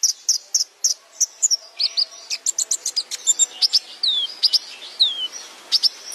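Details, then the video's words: Sunbird song meant for training cage birds: sharp high chirps, some in doubled pairs, broken by quick downward-slurred whistles and short buzzy notes, steady and lively throughout. "Masteran Hadal Kolibri Ninja | Pancingan Konin"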